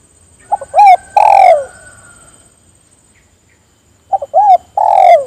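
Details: Spotted dove calling others to sing along, repeating its phrase twice about three seconds apart: short notes, an arched coo, then a long descending coo. A faint high whine continues between.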